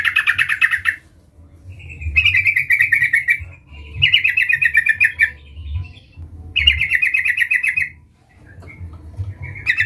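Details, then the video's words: A Sooty-headed bulbul calls to draw out a rival: four bouts of fast, bubbling, evenly pulsed notes lasting about a second each, with brief gaps between them, over a soft low hum. "Suara Panggilan trucukan gacor Memanggil Lawan"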